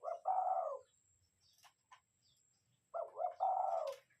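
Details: Spotted dove kept as a lure bird, giving deep cooing phrases: a short broken coo running into a longer rolling coo, then the same phrase again after about two seconds of near silence with faint clicks.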